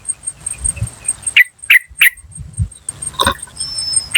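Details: Yellow-vented bulbul call from the wild, meant to lure wild birds: three sharp, clipped 'cuk' notes in quick succession over a soft rustling background and a high whine.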